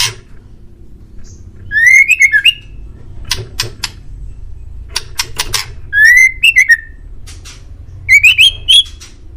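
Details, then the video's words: White-rumped shama master song for training pet birds to answer: three bouts of loud, ringing whistled phrases rising and falling, separated by dry clicking ticks. "MASTERAN MURAI DI JAMIN BURUNG ANDA LANGSUNG NYAUT"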